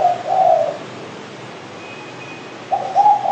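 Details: A spotted dove utters a soft hollow coo, falls silent for nearly two seconds, then begins another low cooing phrase.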